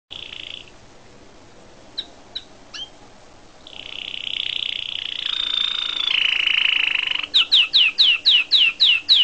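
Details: Canary song: a short whistled note, a few thin chips, a long warbling rolled passage, then a fast trill of sweeping down-slurred notes, about eight per second.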